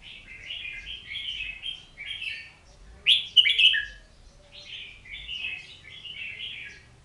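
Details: Oriental magpie-robin pouring out quick, rich whistled and slurred notes. A loud, sharp double burst mid-phrase is followed by more rolling warbles.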